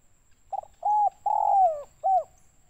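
Spotted dove giving a hollow, low cooing phrase of four notes: a brief coo, a longer one, a long falling croo, then a short closing coo.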